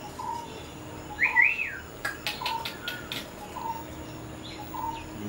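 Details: Sri Lanka myna visiting a home in Sri Lanka, recorded 10 December 2020: a loud, rising-and-falling whistled call stands out among short, soft, low whistled notes repeated about once a second, with some clicking sounds and quiet background hiss.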